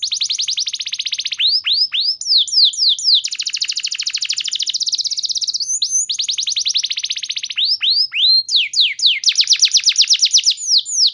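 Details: Canary song used to provoke other canaries into singing: long, loud, rapid trills and rolling tours, with fast repeated downward-sweeping whistles between extended buzzy rolls, continuing for over eleven seconds without pause.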